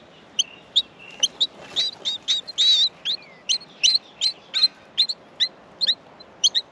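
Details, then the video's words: Hungry Australian miner chicks in their nest call for food during feeding, a dense run of shrill, bent squeaks, several rising then falling, tumbling over one another with barely a gap. "Australian Minor baby birds in the nest feeding"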